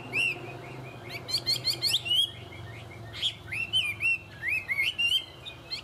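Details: Tame Chinese hwamei singing well: a varied run of loud clear whistled phrases, rising and falling, with quick trilled notes mixed in, over a steady low hum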